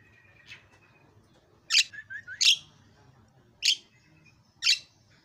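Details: Javan myna producing sharp harsh chirps, a quick trio of short whistled notes, then two more isolated rasping calls, over a faint low background hum.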